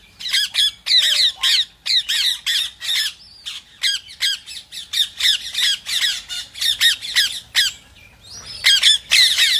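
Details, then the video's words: Shrill rose-ringed parakeet screeches, used to get other parrots singing, come in a rapid, slightly uneven series of harsh notes lasting the whole stretch. "ببغاء الدرة | أصوات فريدة ولغة الحب | تحفيز للببغاوات"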